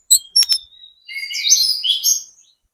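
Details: Spotted 'trotol' Sunda robin lure song to get other birds calling back: a few sharp high clicks and a thin whistle, followed by a warbled, buzzy phrase of wavering high notes.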